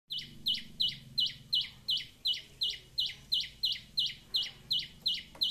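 A sunbird repeats a sharp, high chip about two or three times a second, steady and insistent, over a faint low hum.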